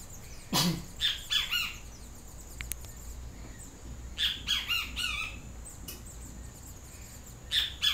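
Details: Yellow-crested Great Kiskadee calling repeatedly: loud, harsh bursts of three or four ringing notes. The bursts come at irregular intervals of about three seconds, with a low thump near the start and faint clicks between calls.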